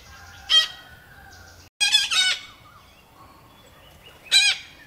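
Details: A mated pair of Red-breasted Parakeets occupying a nest box in a village in northeastern Thailand. Loud, harsh, grating squawks come in three bursts: a single shriek, a longer double burst, then a final shriek, over a faint low hum.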